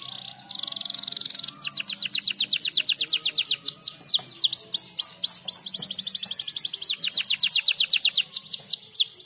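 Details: Canary song used to stimulate other birds to sing: a fast buzzy trill, then long runs of rapid descending whistled notes repeated about four per second, with a faint low hum beneath.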